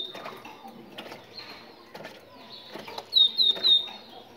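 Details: Moroccan tit singing, used to encourage other tits to sing: three bright, slightly falling whistled notes in quick succession near the end, over a faint background of low murmur and soft noises.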